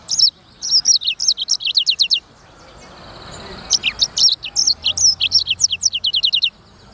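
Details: A Black-throated canary, the bird known as sanger or Edel's finch, sings fast, bright trills of high, downward-slurred notes. Two long phrases of roughly fifteen notes each are separated by a short quiet gap.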